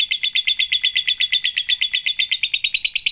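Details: Caged-style lovebird lure recording to make lovebirds sing: steady rapid trill of bright, high chirps at an even pace of roughly seven notes each second, clean and unaccompanied.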